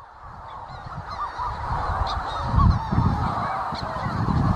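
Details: Manx shearwaters near North Haven on Skomer fill the air with a dense chorus of harsh, cackling, crowing calls, overlapping without pause, over a low rumble of wind.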